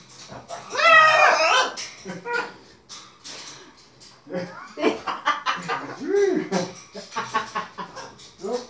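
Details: Two macaws playing with people indoors give loud, raspy cackles, squawks and "woooo" calls in excited bursts, while people talk and laugh nearby.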